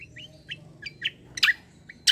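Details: White-eye in 'kombo' song, described as a 'fighter' and very vocal, suited for tutoring songbirds: short clipped rising notes, a few louder buzzy bursts near the end.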